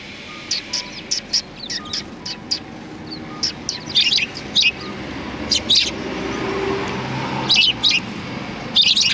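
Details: Sparrows welcoming visitors at a cultural hall, 7 February 2020; lively, high chirps repeated in uneven bursts, with traffic noise swelling underneath and a faint low tone.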